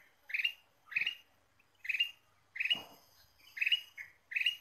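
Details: Ruby-throated bulbul singing in a lure recording: six bright, warbled notes at uneven intervals, with a low thump midway through and otherwise little background noise.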